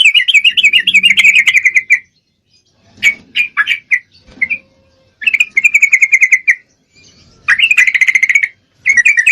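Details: Female Yellow-vented Bulbul in breeding condition calling to a male: four bursts of fast, chattering, slightly buzzy notes, each lasting about one to two seconds and separated by short pauses, with a few scattered single notes between.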